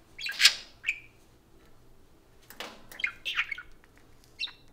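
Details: Parakeets kept as pets, taking turns at a spoon, make raspy chattering bursts mixed with brief squeaky chirps, loud at first, then a pause, then another cluster of notes.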